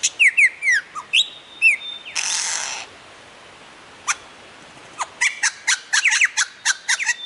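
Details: Lyrebird from Australian forests and gardens mimicking other sounds: a fast series of clicking ticks and short whistles, a half-second burst of harsh hissing noise, then a rapid run of sharp clicks and bright chirps.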